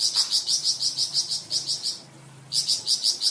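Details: Flamboyan bird repeating sharp high notes about five per second, pausing half a second, then resuming, in varied song for training cucak ijo and magpie robin; faint low hum beneath.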